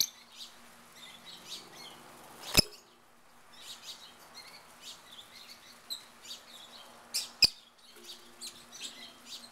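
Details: Wild rosy-faced lovebirds in a backyard in Mesa, Arizona, giving shrill high chirps in scattered bursts throughout, with two sharp loud clicks and a low steady hum underneath.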